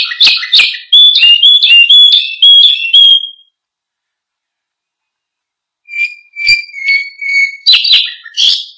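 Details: Canary singing as a master song for training other birds: quick runs of bright whistled chirps, a pause of about two seconds, then rolling repeated notes and rising trills resuming at steady intensity.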